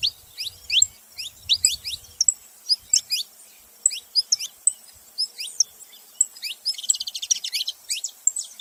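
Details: Saffron finches singing together: repeated thin, falling chirps in quick succession, with a fast buzzy trill near the end and some faint low thumps early on.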